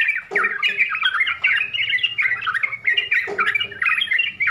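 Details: Yellow-vented bulbul song in a full, varied 'full isian' style: dense bubbly chattering phrases, warbled and squeaky, running almost continuously with brief gaps near the start and after three seconds, faint low hum beneath.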